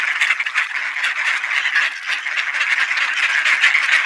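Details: A flock of ducks at Sainte-Adèle, Quebec, Canada, gathers for supper at 3:27 PM on 9 November 2020, under partly cloudy 20°C skies; rapid, busy overlapping quacks pour out steadily.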